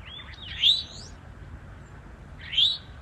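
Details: Eastern towhee in the woods, territorial male with a female nearby: a pair of bright, quickly rising chirped notes two seconds apart against soft background noise.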